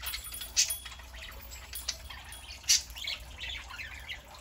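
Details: Pet parakeets on a Saturday morning, a flock that includes a three-month-old young bird; sparse sharp chirps and short squawks at irregular intervals, two louder notes standing out over a soft steady hiss.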